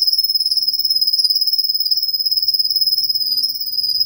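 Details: Russian canary singing: a long, sustained high trill held at a steady pitch, rapidly pulsing throughout, with a faint low hum underneath.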